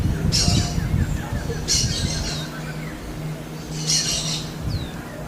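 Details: Smooth-billed ani calling in the wild: three harsh, noisy high squealing bursts about every one and a half seconds, over a steady low rumble of background noise.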